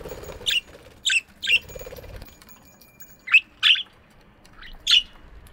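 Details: Morning aviary budgies chirping: six or seven sharp, high squeaky chirps in quick succession with brief pauses, a faint low murmur underneath.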